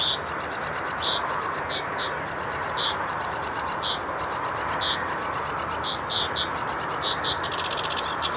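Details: Sedge warbler singing without pause: a hurried, scratchy stream of dry chattering trills and buzzy rattles, high-pitched, with the phrase type switching about every second, over a steady soft background hiss.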